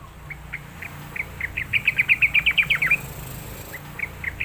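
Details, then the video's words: Sooty-headed bulbul prompting sound used as a lesson for young caged birds: scattered single notes build into a rapid string of about ten bright, bouncing notes, then taper to a few soft notes against steady background hiss. "suara pancingan trucukan belajar bunyi | untuk terapi dan masteran burung trucukan bakalan"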